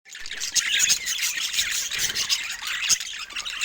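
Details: Pet budgerigars chattering continuously in a dense mix of warbled, scratchy high chirps and squeaks with no pauses, several birds apparently calling together.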